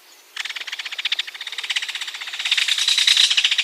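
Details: Ringed kingfisher (Megaceryle torquata) giving a rattle call: a harsh, dry rattle of rapid clicking notes, about ten per second, swelling louder over three seconds.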